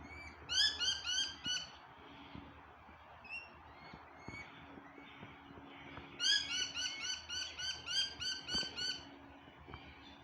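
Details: Parrot giving loud, harsh, harmonic squawks in two rapid bursts, each a quick string of repeated raspy notes. Quieter calls fall between the bursts, and a low background hum runs throughout.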